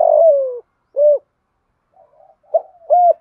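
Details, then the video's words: Provoking call of a spotted dove, 'giọng thổ' voice style: a long coo gliding downward, a single short rounded coo, a pause with faint soft notes, then two short coos. "cu gáy thúc gù giọng thổ/ tieng cu gay kich boi nhanh noi"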